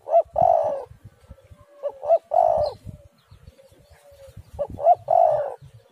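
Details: Spotted dove calling, played as a lure to get other doves calling: low hoarse coos in phrases, short notes leading into a longer drawn-out coo, repeated three times with soft rustles between.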